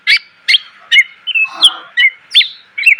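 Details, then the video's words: Greater green leafbird song for training cage birds: loud, evenly spaced sharp chip notes alternating with short whistled slurs, roughly two per second. "MASTERAN CUCAK IJO SUARA PLONG!!! ..penuh isian.."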